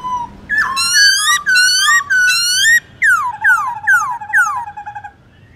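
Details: Black-throated laughingthrush giving morning forest song to coach young birds: three sustained buzzy whistled phrases, then four sharply descending slurred notes, ending in fading soft pulses.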